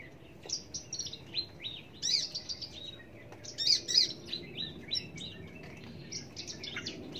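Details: Australasian bushlark in full song, quick high chirps and sharp twitters tumbling in fast irregular phrases, a few louder ringing notes, with soft low background rumble.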